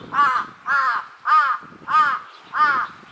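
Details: Large-billed crow during a threat display between two birds: five rough, nasal caws in an even series, roughly two each second, with no other sounds.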